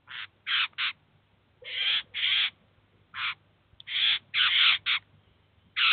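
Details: Eurasian jay with chicks at a cheese feeder, filmed in 2019: loud, harsh rasping screeches in short bursts, single and doubled, spaced irregularly, with a low hum underneath.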